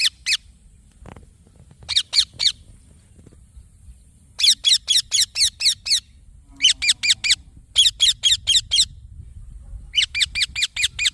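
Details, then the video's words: Baby parrot, green, uttering short clusters of two or three chirps, then longer runs of rasping, rhythmic notes broken by brief pauses, against low background rumble. "Green Baby Parrot Chirping Sounds"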